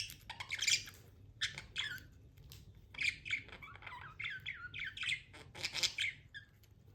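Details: Tame budgerigar chattering: harsh squawky bursts and busy, scratchy warbles with rising and falling chirps, steady through the whole stretch over a faint hum.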